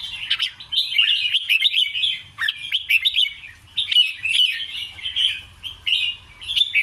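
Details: Red-whiskered bulbul giving its doubled, scattered 'ble rik krajai' song: continuous cheerful warbling, with clusters of sweet, slurred whistles repeated in close phrases and a short gap near the middle.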